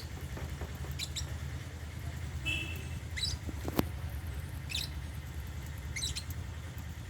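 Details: African lovebirds at meal time, eating holy basil in a cage: short, sharp high chirps come every second or so over a steady low rumble.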